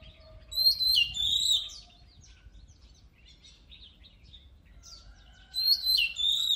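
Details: Oriental magpie-robin song for stimulating a bird's voice before contests: an opening phrase of sharp descending whistles and quiet scattered chirps, then a fresh loud burst of whistled notes about five seconds later.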